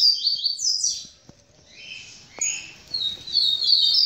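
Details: Double-collared seedeater in tamborete song style, kept at a breeding aviary, singing after mating with a female: quick high slurred notes that fade, then softer trills and a loud, dense burst of chirping at the end; occasional soft clicks.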